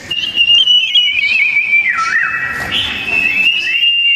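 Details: Fierce song duel between sooty-headed bulbuls: a sustained bright whistle with small wobbles, a deep downward swoop midway, then a rising return to a steady high note.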